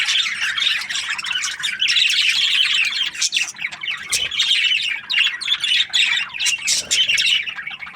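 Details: Australian budgies chattering together in a dense, continuous stream of squawks and chirps, busy and high-pitched, with short scratchy notes overlapping throughout with hardly a pause.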